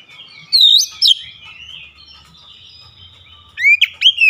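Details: Singing oriental magpie-robin with a wide-open beak, delivering sharp phrases: two loud curling whistles, a soft thin lull, then a final burst of steep rising and falling whistled notes.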